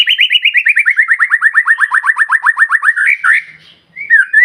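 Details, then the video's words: White-rumped shama lure song for stimulating other shamas: a long rapid trill of about thirty slurred notes that slowly drops in pitch, followed by a brief pause and a couple of looping whistles. "PANCINGAN MURAI BATU SUPER NGOTOT,DI JAMIN BURUNG MURAI JADI GACOR"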